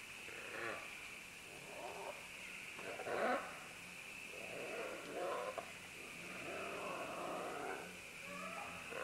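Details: Green-winged macaws, several descending along vines, making scattered rough, rasping squawks at moderate distance, partly masked by a steady high-pitched insect drone.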